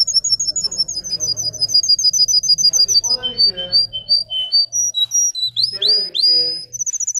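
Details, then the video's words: Russian canary bred for singing: long runs of rapid, high, repeated trilled notes, then shifting tours with lower rolling bursts near the middle and end, and bright whistled phrases closing the strophe; faint low hum underneath. "The singing of a canary. Melodies Canary Bird song"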